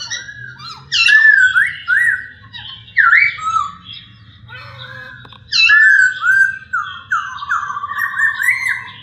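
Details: Masked laughingthrush (poksay hongkong) in two long bouts of looping, up-and-down whistled phrases, the second ending in a fast rolling trill; quiet gaps between bouts with a low hum.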